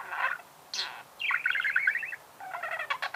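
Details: Budgerigar song, a quick run of chattering notes: a buzzy burst, a sharp high chirp, then a rolling trill of linked warbled notes and a final raspy chatter.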